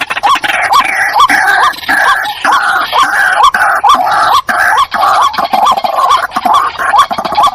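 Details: Decoy recording of a white-breasted waterhen: a steady, rapid series of harsh, nasal upslurred notes, around two per second, loud and unbroken against coarse background noise.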